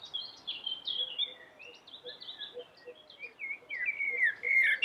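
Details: Common blackbird, the yellow-billed black bird, singing a continuous stream of high twittering notes and fluty slurred whistles, with faint lower chirps from another bird behind and a final loud warbled phrase.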